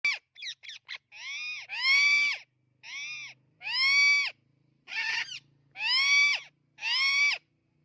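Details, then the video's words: Amazon parrot chirping: a few short sharp chirps open the sequence, then loud, harsh, arched squawks rich in overtones, each about half a second long, repeated roughly every second with brief silent gaps and no other sounds. "Amazon Parrot Chirping Sounds"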